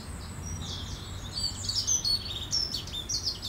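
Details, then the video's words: Sparrows bathing among the Roman ruins at Vidy, 16 June 2013; loud, sharp high chirps and squeaky twitters tumbling together from several birds, with faint low hum beneath. "Sparrows bathing at the Roman Ruins, Vidy"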